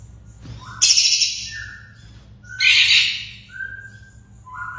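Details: Long-tailed shrike sounds from a training recording for captive birds: two loud, harsh, hissing bursts, with softer, steady mid-pitched whistled tones drawn out between them.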